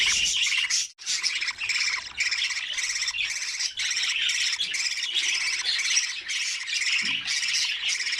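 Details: Nest of budgerigar chicks feeding one another: insistent, buzzy, rasping calls repeated in quick pulses, nearly unbroken apart from one brief silence early on.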